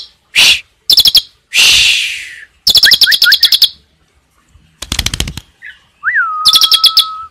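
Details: Asian pied starling singing in the 'tembakan' style with 'cililin' fill: loud harsh rasping bursts and rapid clicking rattles, three short upslurred whistles, then a sharp rising note settling into a long steady whistle.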